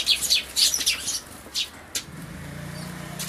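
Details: Eurasian tree sparrow chick being fed by a parent, possibly a very old bird with a large black throat patch, at a feeder in late May 2013; a run of sharp high chirps, then quieter with a low hum.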